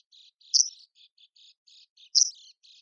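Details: Arctic warbler calling, from a bird-contest training recording: two loud, sharp, high descending 'tzit' notes about 1.6 seconds apart, with faint, soft, buzzy chips scattered between them.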